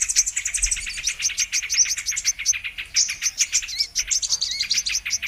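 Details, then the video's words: Lure recording of brown-throated sunbird for bird trapping, carrying a rapid, continuous stream of high chirping notes with a couple of short, lower rising whistles near the end. "Mp3 Pikat Burung kolibri MANGGAR/KOLIBRI KELAPA"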